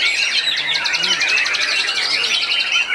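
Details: Competition white-rumped shama at a contest in Ngawi, 13 August 2023, pouring out a dense, rapid run of bright whistles and chattering trills high in pitch, with other birds and faint voices behind.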